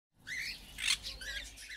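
A macaw gives a few raspy, squawking notes with a harsh burst in the middle, all within about two seconds.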